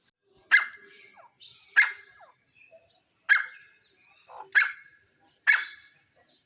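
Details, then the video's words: Grey francolin (jungle teetar) giving loud, harsh, explosive notes about once a second, each trailing off quickly, with faint chirps from smaller birds in the gaps. "Jungle teetar // gray francolin"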